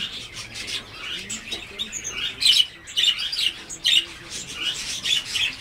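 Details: Blue whistling thrush (Myophonus caeruleus), call.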